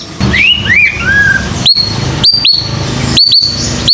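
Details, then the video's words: White-rumped shama lure sounds for encouraging young birds to sing: a few slurred descending whistles, then crisp upswept notes repeated in pairs and singly, against a low background rumble. "Suara Pancingan Khusus Burung Muda Agar Berani Bunyi"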